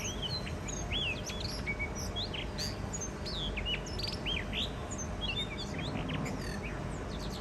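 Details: First spring singing of a wild blue rock thrush pair on a Shonan balcony, Japan. Dense run of sweet, looping whistled notes, many sliding upward or downward, pours out almost without pause, with a low steady background rumble.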